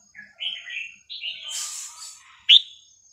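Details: Red-whiskered bulbul with sweet, varied song phrases used to teach young birds: soft warbled slurs, a hissing rustle in the middle, then one loud sharp whistled note.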